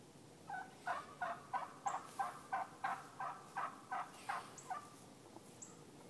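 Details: Several wild turkey (Meleagris gallopavo) hens in Missouri before sundown yelp: about a dozen raspy, mid-pitched notes, roughly three per second, calling the flock back together to roost as they walk past, with faint high chirps behind.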